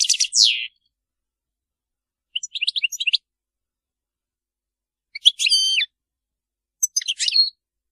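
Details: European goldfinch (Carduelis carduelis), song.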